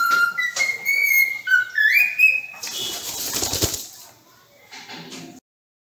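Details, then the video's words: Whistling from a pet cockatiel: clear tonal notes that hold, then slide upward into a higher held whistle, followed by a burst of broad hissing, rustling noise and a quieter scratchy passage. "Let's Sing For New Year"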